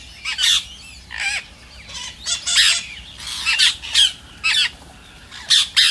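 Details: Rose-ringed parakeet giving loud, grating screeches in separate bursts about every second, each squawk with sliding notes; the calls are meant to prompt other parrots to sing.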